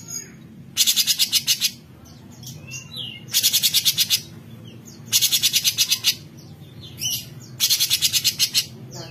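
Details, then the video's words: Besetan song of a straw-headed bulbul, played as a master for birds such as murai and green leafbirds: four quick bursts of sharp, high, pulsing rattles, each under a second, spaced by brief thin whistled notes. "Suara Besetan Cucok Cungkok - Masteran Handal Buat Burung , Murai ,C Ijo Dll"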